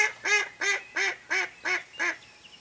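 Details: A Mallard hen used as a hunting lure calls in an even series of seven rough, nasal quacks about a third of a second apart, fading out at the end.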